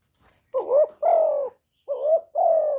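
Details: Spotted dove, a decoy bird used to excite other caged doves, giving a mellow coo of four drawn-out notes near one pitch, the second and fourth long and slightly falling, with faint clicks before.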